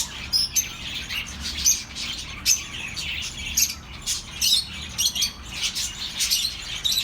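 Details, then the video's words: Birds calling for lonely pet birds to hear: sharp, high chirps and squeaks pulse out in irregular bursts roughly every half second over a constant soft twitter. "relaxing birds sounds for your lonely birds"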